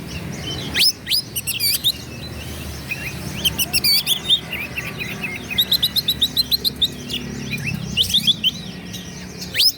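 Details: Oriental magpie-robin singing energetically to provoke rivals: scattered high whistles, quick chirps and dry rattling notes with a long run of varied twittering in the middle, and a low hum underneath.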